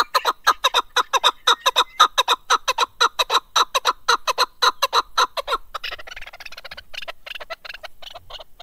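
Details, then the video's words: Mountain partridge, the chukar, delivering a long, regular burst of harsh clucking notes at a steady rapid pace, then dropping to fainter, irregular chatter. "Голос Куропатка как поёт Горная Куропатка Кеклик"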